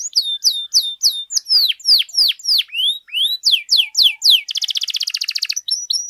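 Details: Canary in full song, played to teach and spur other canaries: rhythmic sharp downward-sliding whistles about three per second, then a rapid rattling trill and a final pair of thin notes.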